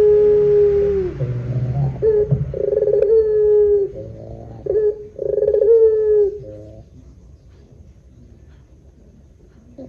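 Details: Barbary dove of the 'pelung' long-cooing style, a lure recording for doves: several clear hooting coos broken by rapid rolling trills, a slightly falling opening note, silence after about seven seconds.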